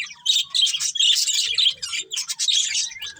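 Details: Budgerigars from a breeding pair chattering in busy, scratchy high warbles and clipped chirps, with short breaks between phrases and a few faint low knocks.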